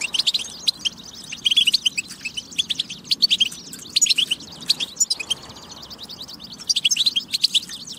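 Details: European goldfinch on a batba for prompting song and readiness: bursts of rapid twittering and buzzy trills separated by brief pauses, phrases returning every second or two.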